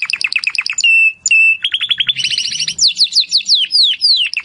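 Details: Timbrado canary song, recorded as training audio to improve other canaries' singing: fast descending chirp series, then two long steady whistled notes, a rapid trill and sweeping downward slurred notes repeated in a bright, high run.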